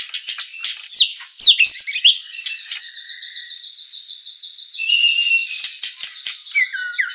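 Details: Murai batu singing strongly, the white-rumped shama, as a lure and training master: fast chirps and swooping notes giving way to long, clear, level whistles and a falling slur at the end.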